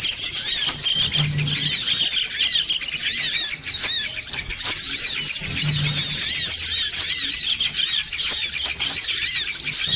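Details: Noisy songon otong lure call meant to gather birds. Many high, rapid chirps overlap into a constant shrill twittering wash without pause, and a soft low hum repeats faintly beneath it.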